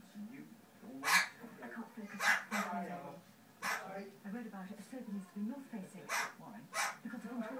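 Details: An Amazon ringneck parrot imitating a dog gives about five short, harsh barks at uneven intervals over a steady murmur of radio speech.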